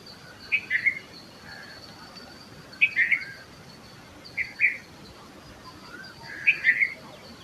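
A red-vented bulbul gives short, cheery bubbling phrases of a few quick notes, repeated every two seconds or so, over a steady background hiss.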